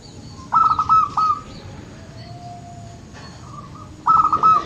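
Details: Zebra dove (local perkutut) delivering two quick clusters of fluttering coos separated by a soft, steady whistled tone, then a fainter short phrase. The recording serves to encourage quiet birds into song.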